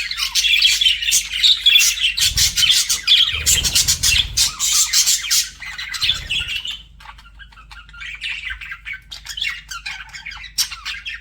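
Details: Budgies flirting: rapid, rhythmic squawky chirps over the first seven seconds with low thuds between them, then fading to softer, scattered high chirps.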